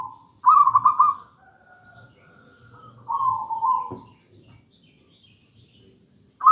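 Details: Zebra dove of local gedang rojo stock, a wild bird singing as a lure and master song: two vibrating, purring coo phrases, then a short knock and a long pause before the next phrase begins.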